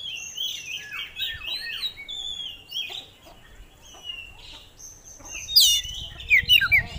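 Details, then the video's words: Oriental magpie-robin in busy song, showing its repertoire: many quick, softer chirps and whistled slurs, then loud harsh scratchy notes near the end, over faint background noise. "Kacer Gacor Bongkar Isian"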